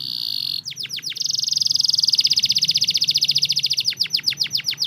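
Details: Lure song of a canary, meant to prompt reluctant canaries to sing: a held high tone, then quick falling whistles, a long rapid rolling trill, and finally slower, evenly spaced downswept notes.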